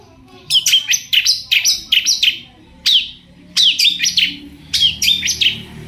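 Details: Lively long-tailed shrike (cendet) song used to provoke answers from other shrikes; quick runs of sharp chirps and slurred whistles in three bursts separated by short pauses, with low room noise.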